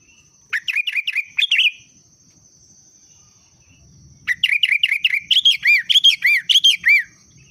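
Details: Sooty-headed bulbul song used as a booster sound to get birds singing: a short burst of rapid chirpy notes, a pause of over two seconds, then a longer, louder run of bubbly rising-and-falling notes, over a steady high whine.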